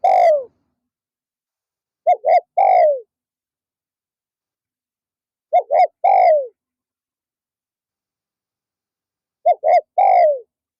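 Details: Decoy spotted dove calling during an afternoon session to attract wild doves. A short phrase repeats about every four seconds: two quick coos and a longer falling coo, with silence between.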